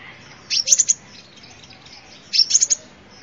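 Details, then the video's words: Two brief sunbird phrases, high and sharp, each a quick cluster of three or four tinkling notes, nearly two seconds apart; recording meant as a lure. "tiếng chim hút mật"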